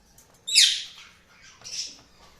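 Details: Cockatiel chirping: one loud, harsh, high chirp followed by a softer, fainter second chirp about a second later, in a quiet setting.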